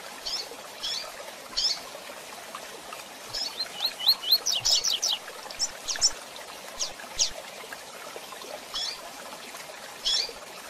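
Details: Double-collared seedeater, female calls, with short, high, bright chirps and a quick rattling run of notes, scattered with pauses over a faint steady hiss.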